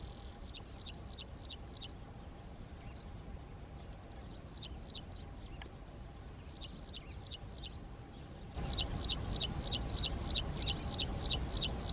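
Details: Graceful prinia during a courtship display of male and female, a resident bird of Saudi farms; bursts of high, sharp chirps repeated about three per second with brief pauses, quieter in the middle, then a loud steady run at the end.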